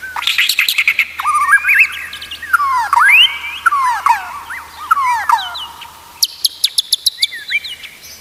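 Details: Master song of the white-rumped shama for training other shamas: a varied mix of looping whistles, sweeping slurs and buzzy notes, closing with a quick series of sharp high clicks.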